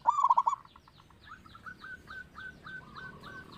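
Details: Local zebra dove with a big voice, used to lure other birds into song: one loud, fast stuttering coo phrase, then a string of faint, softer short coos fading into the background.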